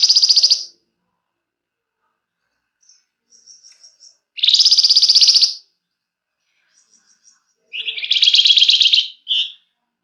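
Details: Flamboyan bird in emotional chattering song, used as a prompt for singing birds: three harsh, buzzing trills separated by long gaps, with soft high chips between them, the last burst lower and followed by a short note.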